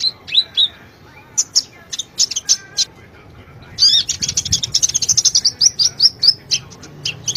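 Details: Sunbird song used as a lure to get a quiet bird singing: high, thin chirps and short rising whistles, then a dense run of rapid sharp twittering notes from the fourth second onward.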